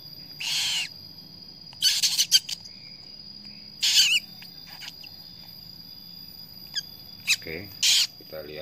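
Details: Newly hatched baby cockatoo begging while being hand-fed: short, harsh, hissing rasps about half a second long, in irregular bursts every two to four seconds, with faint clicks between.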